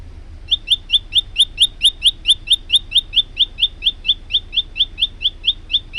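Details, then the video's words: Energetic male olive-backed tailorbird, recorded for training other birds, delivers a long rapid run of about two dozen bright, clipped high notes, even and insistent, at roughly four per second. "burung prenjak lumut gacor untuk masteran"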